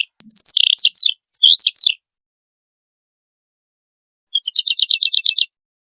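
Wood lark song: two quick bursts of sweet, slurred descending notes, then a pause and a fast, even trill of about ten liquid notes.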